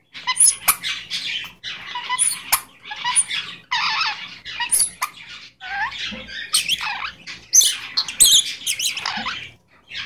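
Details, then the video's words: A pet Goldie's lorikeet talking, chattering in scratchy, high, speech-like bursts about once a second, mixed with thin squeaks and short shrill notes, including the phrase "Give me a kiss". "Talking Goldies Lorikeet"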